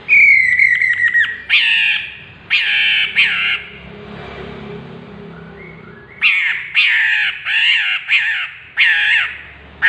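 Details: Chestnut-capped laughingthrush calling: a long descending whistled note with rapid stutters, then a series of loud harsh mewing squawks repeated about every half second to second, with a quiet gap between.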